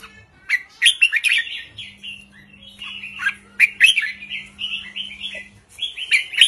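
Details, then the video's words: Red-whiskered bulbul delivering simple counted phrases of the 3-4-5 style to rouse listening birds; quick liquid whistled notes strung into uneven runs, a few sharp chirps between, and a low hum in the background. "นกกรงหัวจุกริกมันส์ เพลงสั้นๆ ร้องง่ายๆ สไตล์นับดอก 3-4-5 เปิดยั้วนกฟังนกคึก"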